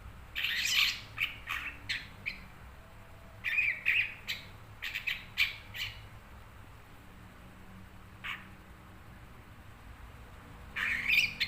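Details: Long-tailed shrike kept as a cage bird: bursts of harsh, scratchy chattering notes in quick clusters separated by pauses, with a low steady hum in the background.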